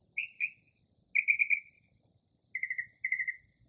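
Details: Northern mockingbird mimicking other birds during a late-night early spring song: four short trilled phrases of buzzy stuttering notes, some falling at the end, given at moderate pitch with quiet pauses between them.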